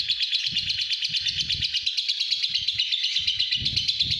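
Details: Steady ngekek from a home-kept pastel green fighter lovebird: a piercing, fast-pulsed chatter held at an even pitch throughout, over intermittent low knocking sounds in the room.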